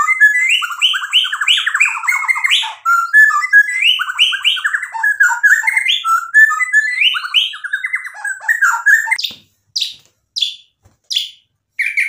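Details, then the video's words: Rival-provoking song of a white-rumped shama: a long, varied stream of fast, warbled and whistled phrases with many repeated motifs, then sharp, separate high notes after a pause. "MURAI BATU GACOR memancing EMOSI lawan jadi NYAUT"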